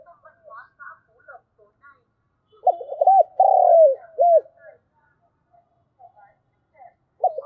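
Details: Morning call of a decoy spotted dove luring wild doves: soft faint twitters, then a single low cooing phrase of arched notes and a drawn-out rolling coo mid-recording, and another coo starting right at the end.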